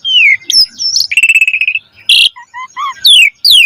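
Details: Varied song of an Asian pied starling, a lure recording for caged birds: a falling whistle, a steady pulsed trill, a harsh burst, then three short hooting notes and sweeping downslurs.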